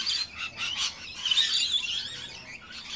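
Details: Rainbow lorikeets feeding on sugar water at a mesh-covered feeder in a suburb give continuous harsh, scratchy, high-pitched buzzy screeches and chatter, rising and falling without pause.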